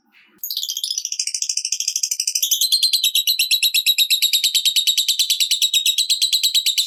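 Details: 'Ngetik' typing-style ngekek of a lovebird, meant to trigger other lovebirds into chattering: one long, unbroken, fast rattling trill of sharp high notes that begins with a wavering buzz and runs steadily to the end.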